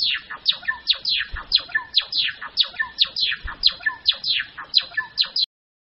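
A Java sparrow sings a quick run of bright, tinkling notes that slur downward, about three each second, with no other sounds.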